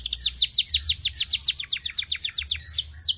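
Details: Idler canary song used to stimulate singing: fast series of high, descending whistled sweeps repeated about three times a second, ending in a looser upward flourish, with a low hum underneath.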